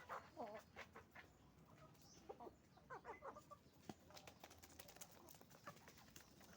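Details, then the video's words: Chicken farm with roosters and hens: wavering, quavering clucks and trills from several birds, dense overlapping calls with sharp clicks and a steady low drone behind. "Moment of the sound of a chicken farm, roosters and hens making noise"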